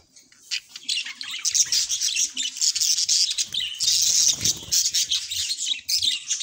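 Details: Budgerigar pair kept as pets singing and talking, starting quiet then breaking into loud, rapid chirping chatter with squeaky, grating notes that swell strongly in the second half.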